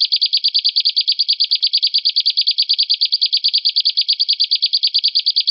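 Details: Continuous canary roll: bright, perfectly regular notes pulsing about seven per second throughout, with no pauses, from a gacor song meant to prompt other birds to sing.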